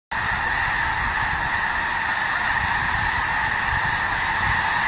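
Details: Thousands of snow geese flocking to Skagit Valley in winter: after a brief silent start, a dense, unbroken roar of overlapping honking calls holds steady throughout, with no single bird standing out.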